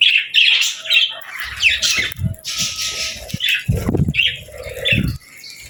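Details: Lively budgerigar chatter from happy pet birds: clusters of sharp, squeaky chirps and buzzy warbles, with occasional low bumps and rustles.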